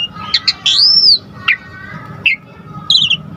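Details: Asian pied starling song meant to provoke other starlings: a few harsh notes, then a long arched whistle, followed by scattered sharp chips and a short high trill, separated by pauses.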